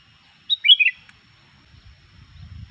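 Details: Sooty-headed bulbul in full 'gacor' form, singing to rouse other bulbuls: one short bubbly phrase of four quick warbled notes, each dipping in pitch, then silence and a faint low rumble.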